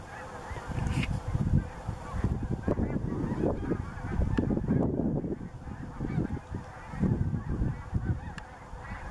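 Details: Snow geese at Bombay Hook National Wildlife Refuge on 12 March 2017: a large flock gives a continuous, dense clamor of overlapping honks and yelps, with no pause throughout.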